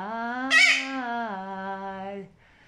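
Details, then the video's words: A pet parrot named Louis gives one drawn-out, nasal, voice-like call lasting about two seconds, holding a low, steady pitch, with a brief harsh squawk near the start. "Papegøjer Helt uden filter :) Sikke en "stemme""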